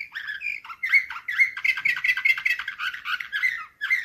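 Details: Slavujar-style canary song, 2024, delivered as a dense, continuous run of rapid warbling chirps and rolling trills, with only a brief dip in loudness near the end.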